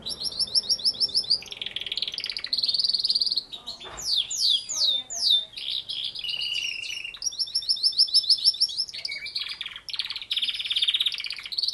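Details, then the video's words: Canary song with many rapid high trills, falling and rising sweeps, buzzy rattles and repeated chirp series, continuous and fast-paced throughout. "canary singing = canario cantando"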